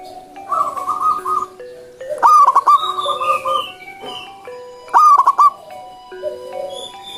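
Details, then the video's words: Zebra dove singing in the wild: mellow, rolling coos near the same pitch, with two strong trilled phrases about three seconds apart, among steady tonal background sounds and other calls. "PERKUTUT GACOR SUARA ALAM LIAR"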